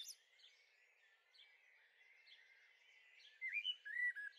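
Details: Young common blackbirds in a garden on the Veluwe, Netherlands, on 30 April 2014, give thin, high chirps, soft at first, then louder, with quick squeaky notes near the end, about two or three a second.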